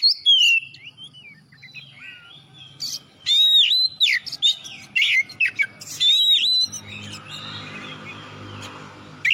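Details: Oriental magpie-robin (kacer) song in full voice, used as a prompt so other birds will sing. Scattered whistles lead into rich bursts of looping whistled notes and chatter, then fade into steady background hiss.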